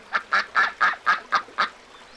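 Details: Seven quick, strong nasal quacks from little ducks follow one another at a steady clip over about two seconds, then silence.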